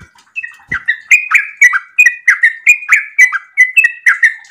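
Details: Yellow-vented bulbul in breeding condition, giving a long, rapid 'ropel' song: bubbly, chirping two-part notes that dip and rise, repeated in a steady run about three to four times a second after a brief quiet start.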